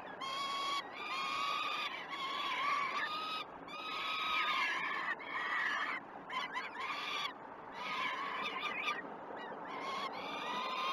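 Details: Young peregrine falcons begging at the Great Spirit Bluff nest, early morning feeding on 12 June 2018, on a live cam: loud, nasal, wavering wails in long bouts, several voices overlapping, with brief pauses between surges.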